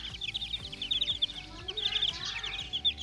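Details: Little chicks at play, a continuous stream of bright, high-pitched peeps packed closely together, with soft music and faint beats below.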